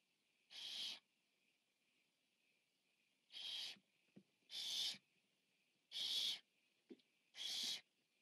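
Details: Biggest Barn Owl owlet at a nest camera during feeding, 14 September 2015: five rasping broadband hisses, each about half a second, repeated every one to two seconds, with soft clicks in the pauses.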